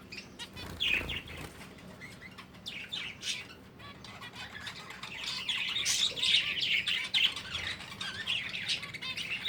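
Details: Several breeding finches chirp busily in overlapping bursts of thin, high tweets that grow denser and louder toward the end.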